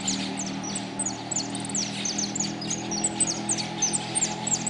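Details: Goldfinch competing in a singing contest at the closing of an interclub cup on 4 March 2018: a lively run of thin, very high chirps and quick down-slurred notes, tumbling on without pause over a steady low hum.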